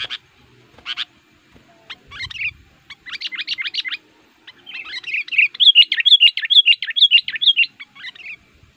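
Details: Sooty-headed bulbul used to lure wild males, starting with scattered chirps, building into buzzy chattering runs and ending in a fast, loud series of bright whistled notes.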